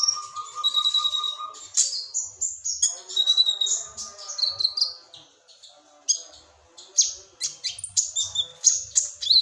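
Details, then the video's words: Sunbird song with cricket-like filling, a bird kept by songbird hobbyists in Indonesia: high, rapid chirps and twittering bursts, with a steady lower whistled tone and harmonic buzzes early on, then varied jumbled phrases. "kolibri ninja isian jangkrik"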